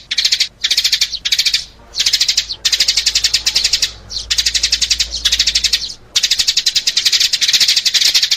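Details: Sparrow luring sound: insistent, rapid chirp series in around eight bursts, some longer and run together, shrill and evenly pulsed, with a faint low hum beneath.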